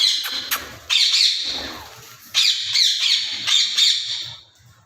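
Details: Loud harsh squawks from an Alexandrine parakeet: a few short sharp notes, then long rasping screeches that pulse slightly, in a quiet setting.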